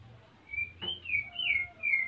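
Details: White-rumped shama, a captive male in breeding condition in Salaman, Magelang, Central Java, eager to mate while the female builds a nest: several clear, pure, high whistled notes, some gently falling, over a low background hum.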